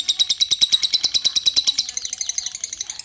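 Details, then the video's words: A lovebird's ngekek panjang trill: rapid high pulsed chattering, roughly six pulses a second, quickening slightly toward the end. "Love bird ngekek panjang"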